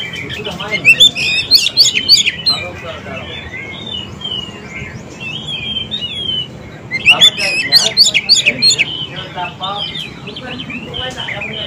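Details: Oriental magpie-robin singing, played to prompt young or newly caught birds that have stopped singing to reply; two dense bursts of sharp chattering notes and clear whistles, separated by softer warbled phrases.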